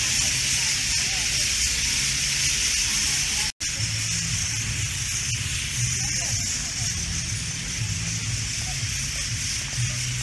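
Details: A huge flock of white-cheeked starlings gathered in street trees in Kochi city in the evening makes a continuous wall of shrill, harsh chattering. The birds seem unbothered by an amplified street speech that murmurs underneath.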